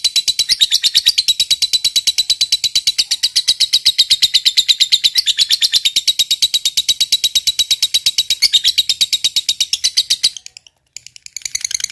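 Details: Fighter lovebird delivering a long 'ngekek' chatter. A shrill, steady, machine-gun-like run of high buzzy notes continues for about ten seconds, stops for a moment, then restarts faintly.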